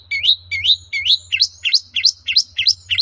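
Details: Lure recording of a long-tailed shrike to provoke other shrikes into replying: a regular string of sharp rising notes, about three per second, each swooping upward, over a faint low hum.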